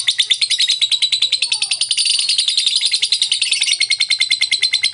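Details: Lovebird in a long chattering run, used as therapy to prompt lazy birds to respond: a dense, continuous stream of fast, harsh, high-pitched chirps pulsing about three times a second without a break.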